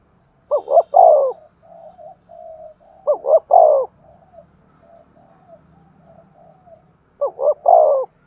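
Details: Decoy spotted dove giving 'thúc gù' urging coos in a sharp voice; three phrases of two quick notes and a drawn-out falling coo, spaced about three seconds apart, soft murmuring notes between.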